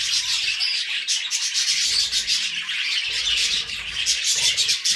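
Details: Budgerigars, with cockatiels named too, give a raspy, scratchy continuous chatter of overlapping high twitters, steady and dense from start to end.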